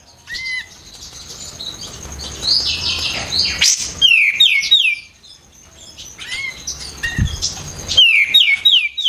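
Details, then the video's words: White-eared bulbul, known locally as kapas tembak, a songbird kept as a training master for contest birds, singing loud, sharp, fast downslurred whistles in quick runs of three to five, with chirps between phrases and a faint low rumble. "KAPAS TEMBAK GACOR RAPAT"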